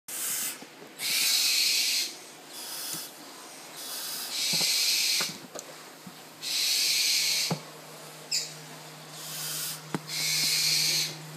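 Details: Captive tropical screech owl chick, hand-reared from the egg, begging for food: long breathy hissing bursts, each lasting about a second, repeated irregularly with short clicks between and a steady low hum behind.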